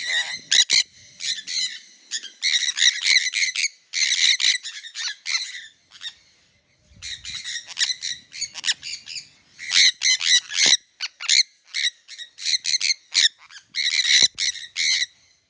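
Sun conures give loud, harsh screeches in rapid, ragged bursts with brief pauses between.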